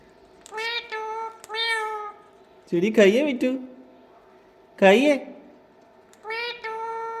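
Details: Pet parrot talking: repeated harmonic, nasal speech-like syllables such as hello in short bursts, with lower voiced calls between, against a steady background hum.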